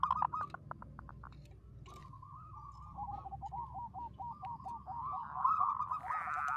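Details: Local zebra dove sung as a lure for trapping: a series of quick, bubbling coo notes repeated several per second around a steady mid pitch, following a brief run of short clipped notes, over low background rumble.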